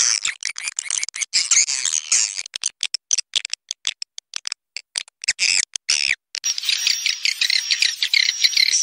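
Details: Swiftlets give a lure call with wing flutter: dense, high, buzzy twittering in choppy bursts broken by brief silences, then a steady run of rapid chattering in the last few seconds.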